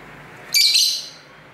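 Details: Pet lovebirds singing and talking to each other at home near a busy street, caught on an internal camera mic: one harsh, high, raspy squeak lasting about half a second over quiet background hiss.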